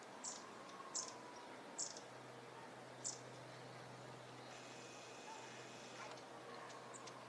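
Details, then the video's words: Long-tailed tit (Aegithalos caudatus) in a pond-side park green in Chiba, Japan, March 2025: four very high, thin, brief tsee contact notes at uneven intervals over low traffic hum and a faint steady high tone. "エナガ 鳴き声"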